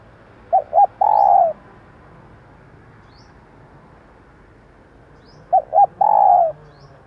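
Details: Female spotted dove used to stimulate and lure male birds, giving two coo phrases about five seconds apart, each two short clipped notes followed by a long, slightly falling, hoarse coo, over a faint low hum.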